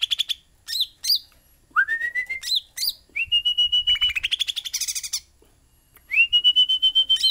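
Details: Sooty-headed bulbul singing vigorously, mixing short bright chips with long sustained whistles that rise and then hold a steady pitch, each whistle carrying a rapid rattling trill, with quiet gaps between the phrases.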